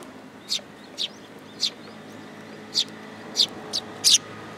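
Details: Eurasian tree sparrows arriving for food at a Tenmangu shrine in Japan, recorded 8 July 2022. Seven separate high chirps are spaced about half a second to a second apart, with a faint background hum.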